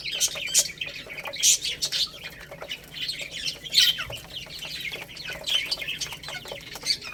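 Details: Baby chicks feeding on rice chirp in high overlapping bursts, mixed with light pecking clicks and brief rustling.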